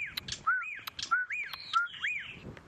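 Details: A black-backed puffback calls very close and somewhat excited at sunrise on safari, 7 November 2016, as light drizzle starts, giving quick, arched whistled notes roughly every half second with sharp clicks between them.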